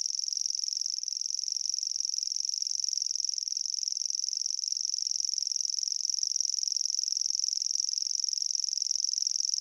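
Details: A Grasshopper Warbler, singing in spring to attract a mate and define its territory, reels without a break, a high, dry, insect-like trill held at one pitch throughout.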